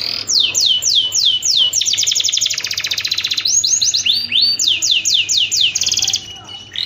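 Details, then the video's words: A canary sings its mating song, meant to trigger singing in other canaries: repeated down-slurred whistles, a dense rapid trill, then more looping sweeps in quick succession. "kenari kawin dahsyat banget untuk pancingan"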